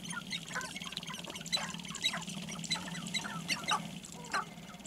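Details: Several sharp-tailed grouse dancing in courtship display on a lek near Baudette, Minnesota, give clucking cackles and short squawks several times a second over a steady low hum.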